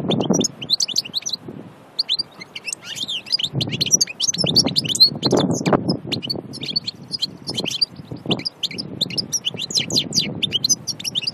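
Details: Wild goldfinch song recorded at Aïn Barbar near Annaba, a long, lively stream of high, jangling chirps and quick trills, with intermittent low thumps and rumble beneath.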